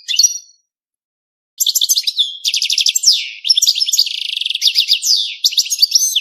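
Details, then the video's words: Continuous mating song of a European goldfinch after a short opening note: fast rolling twitters, trills and descending buzzy slurs chained together for several seconds. "5 دقائق من تغريد الحسون بدون توقف .تزاوج الحسون"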